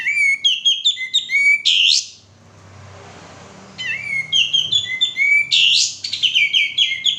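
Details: Lure recording of a male sooty-headed bulbul to prompt singing: lively whistled chirping phrases ending in loud buzzy flourishes, a short quiet gap with low hum, then the bright song resumes.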